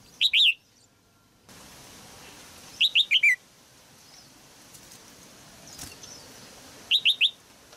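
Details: Red-whiskered bulbul female singing in a cage to stimulate a mature male. Three brisk phrases of three or four sharp, arched whistles come about every two to four seconds, with low background hiss.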